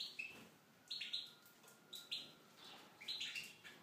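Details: Tunisian goldfinch singing in an aviary: bright twittering phrases of short high chirps and buzzy notes in bursts about once a second, separated by brief pauses, with a faint steady hum underneath.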